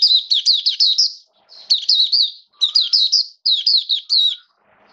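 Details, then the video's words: Oriental white-eye in the bird-keeping hobby, singing in wet rainy weather: four quick bursts of high, jumbled twittering notes, each about a second long, separated by short pauses, clean and close. "Mata Puteh Buka Sing Raja"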